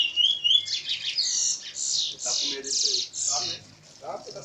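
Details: Curió (lesser seed-finch) in continuous song at Maiobão, Paço do Lumiar, Maranhão, Brazil; a run of loud, high, buzzy-whistled notes repeated about every half second, then quieter notes near the end.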